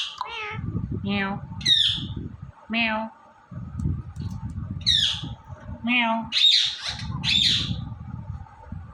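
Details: Indian ringneck parrot, recorded talking and dancing, produces speech-like harmonic syllables at a lower pitch, interspersed with high harsh squawks, irregularly spaced, with a low background rumble.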